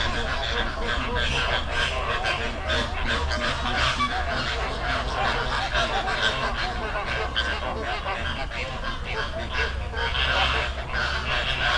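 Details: Many flamingos calling together in a Dominican Republic river: a thick wall of honking, goose-like calls, rapid and overlapping, steady in loudness, over low rumbling background noise.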